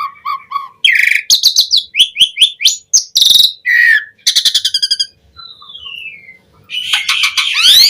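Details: Asian pied starling singing a varied, lively song meant to stimulate kept starlings: short low whistles, then rapid rattling trills, repeated sharp notes, a long descending whistle and harsh buzzy squeals at the end.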